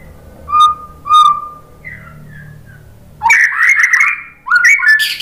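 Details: White-rumped shama song used as a provoking track to stir other shamas into singing: two clear whistled notes with overtones, a pause, then a burst of rich, fast, varied warbling phrases sweeping up and down.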